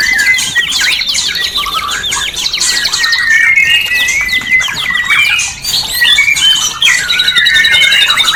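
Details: White-rumped shama song aimed at raising breeding urge in caged birds, a busy tangle of high trills, rapid chatter and sweeping whistles, continuous and evenly loud with one brief dip.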